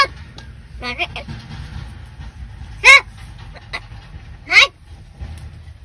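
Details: Talking crow said to mimic Marathi words. Two loud, hoarse, arching calls about 1.7 seconds apart stand out over a low background hum, with faint softer sounds between them.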